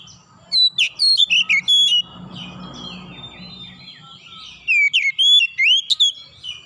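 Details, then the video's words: Calling Oriental magpie-robin (kacer): a run of clear, shifting whistled phrases with fast upward and downward sweeps, then a pause with faint murmuring, then another vigorous whistled burst. "KICAUAN KACER MEMANGGIL"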